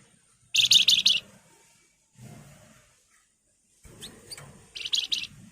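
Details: Spotted Crocias (wergan jawa) singing actively in Nyiul, nyuling and Ngebren styles: two bursts of rapid, buzzy chattering notes, high-pitched and run together, separated by quiet gaps with faint low rumbling.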